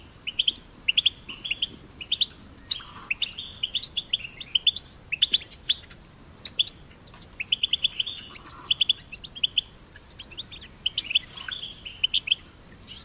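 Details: European goldfinch chicks in a cage, played to motivate singing: busy chattering twitter of sharp high chirps and quick trills, with occasional softer buzzy notes between phrases.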